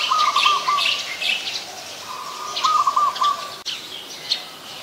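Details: In Ubon Ratchathani, Thailand, on 18 January 2021, a white-vented myna repeats a raspy, chattering phrase twice amid scattered higher twittering notes and a sharp click near the end.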